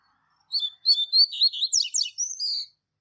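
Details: Full Tui Tui Zel Zel Clássico strophe from a Double-collared seedeater tutor for young birds: high, rhythmic chirps about four per second, twin steep falling slurs mid-phrase, then sustained whistled ending.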